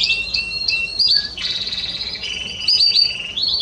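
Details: Spanish Timbrado canary, 30 May 2017, singing short clipped phrases: a brief whistled run, then buzzy rolling trills and a string of quick chirped notes near the end.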